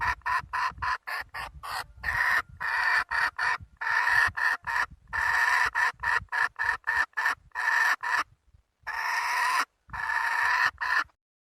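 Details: Red junglefowl hen in a long bout of fast, rough cackling, syllables crowded together in uneven bursts with short pauses, faint low background noise beneath.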